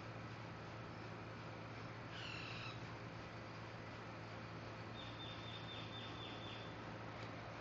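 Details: Social flycatcher (Myiozetetes similis) at Universidad Francisco Marroquin, 20 June 2012, gives a harsh, buzzy call note, then a quick chattering run of high, slightly falling notes, over a steady low hum and hiss.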